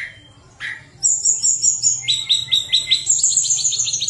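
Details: Tledekan gunung in flute-like song, used to lure lazy birds into singing: a couple of short calls, then a sustained high trill over a fast run of rhythmic repeated chirps.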